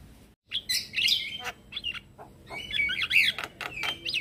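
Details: Male Javan myna lure call, meant to make other mynas answer: short, scratchy, twisting whistles and harsh notes in two bursts, fairly quiet over a faint background hiss.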